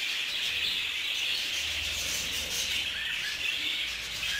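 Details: Many budgerigars in a shared aviary during a real fight; continuous high warbling chatter, thick and buzzy, with a few clearer chirps rising above the crowd.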